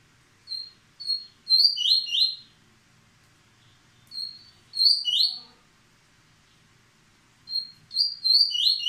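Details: Yellow-bellied seedeater, a captive breeding male in moult, singing the paterno song: three fast phrases, each opening with short high whistles and running into swift, slurred downward-sweeping notes, with pauses of about two seconds between phrases.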